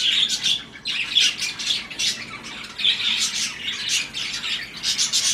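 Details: High chattering and squawky chirps from budgies paired up and mating in breeding season come in uneven clusters with brief dips between bursts.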